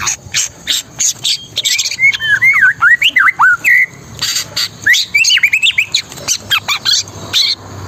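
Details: Long-tailed shrike, a kept songbird, in a chattering 'trotol bongkar isian' style: harsh broadband bursts mixed with quick whistled, wavering notes that rise and fall, given in rapid, tightly packed phrases throughout, with a steady faint background hum.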